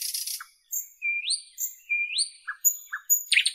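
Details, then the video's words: A Northern European nightingale sings clear whistles that swoop sharply upward, mixed with thin high notes, quick chips and rasping bursts at the start and end. "Nightingale Birdsong"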